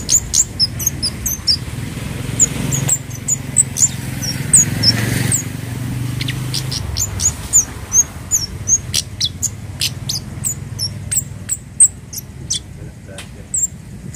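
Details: Orange-headed thrush pouring out a long sequence of high, sharp whistled notes and brief twitters, used to train captive birds; phrases come in quick bursts with short pauses, over a faint low rumble.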